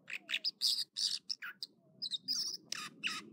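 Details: An American dipper sings in the morning at Echo Lake in the Trinity Alps, California: a rapid, varied run of high, buzzy trills and sharp chirps, about three phrases per second, over a low rush of water.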